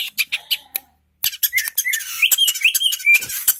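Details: Indonesian long-tailed shrike: a few scattered sharp ticks, a one-second pause, then a burst of raspy chatter mixed with quick rising and falling whistled notes.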